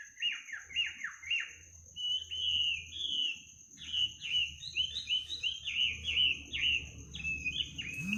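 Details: Midnight bird song: quick downward-slurred whistles in a rapid series, then sustained twittering phrases of bright looping notes, with low hum in the background.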